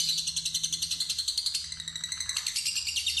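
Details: Fighter lovebird's ngekek, the long trilled chatter sought by luring, rendered as a dense rapid series of shrill pulses with a faint low hum underneath.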